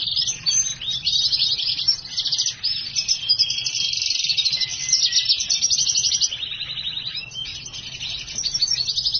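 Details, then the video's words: Black-hooded siskin x house finch hybrid sings a long, unbroken, high twittering song of rapid buzzy trills and warbles, running without pause, with a faint low hum underneath. "HYBRID silangan black hooded siskin x house finch gacor"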